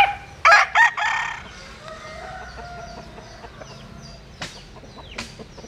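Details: Cross-bred bantam cockerel from a Japanese bantam mother and a Cuban father opens with a loud, choppy crow of two quick notes and a rasping tail. Fainter calls and light clicks follow over a quiet hum.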